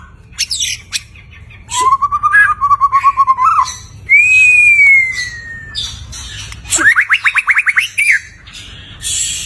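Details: White-rumped shama singing in gacor style with a rich isian fill-in: a wavering whistled phrase with a quick trill, a long clear whistle sliding slowly downward, then a rapid burst of repeated bright notes.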